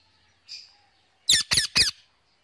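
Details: Pet male Indian ringneck parakeet calling to his mates on an evening: a faint high note, then three harsh, shrill squawks in quick succession over otherwise quiet surroundings.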